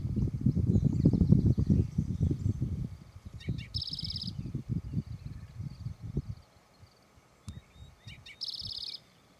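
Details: Spotted Towhee at Charles M. Russell National Wildlife Refuge, Montana, USA, on the Auto Tour route. Two songs about five seconds apart, each with brief lead-in notes and a shrill buzzy trill. Strong low rumbling noise, loudest at the start.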